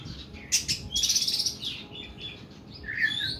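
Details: Oriental magpie-robin's harsh, long 'nembak' song: a loud rasping burst with a rattling trill, followed by softer whistled notes and a clear falling whistle.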